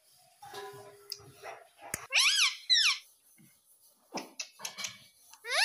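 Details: Baby ringneck parrot kept as a pet giving two loud, harsh squawks that rise and then fall in pitch, with softer chattering and faint voice-like sounds before and after, ending on another rising squawk.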